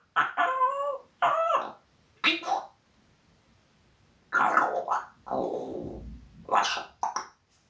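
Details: Indoor pet parrot swearing at the cat, producing strings of Russian words in a voice with clear wavering pitch, several phrases in quick succession, a long pause, then more raspy word-like bursts and a hoarse drawn-out sound.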